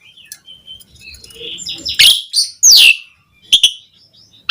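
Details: Javan pied starling song used to spur other starlings on, with soft warbling at first, then loud harsh rasping bursts and a bright descending whistle, ending in sharp chirps.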